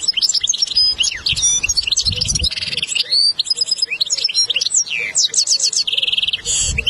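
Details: European goldfinch song used as a lesson recording for a young goldfinch: rapid liquid twitters, quick rising and falling whistles and short buzzy trills in a dense, unbroken flow, with soft low thumps underneath.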